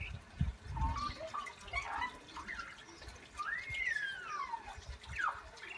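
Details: An Australian magpie mimics the neigh of horses from a nearby paddock with a long, wavering whinny that rises and then slides down.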